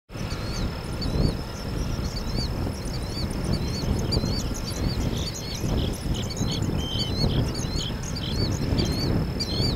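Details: Short-billed Dowitchers at Hornsby Bend on 11 May 2016 give a run of high, thin, twittering notes, several each second, over a heavy low rumble of wind and distant traffic.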